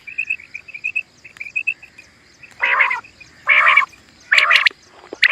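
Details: Common quail call used as a hunting lure: a quick string of short, clear high notes, then three harsh, buzzy, wheezing bursts about a second apart.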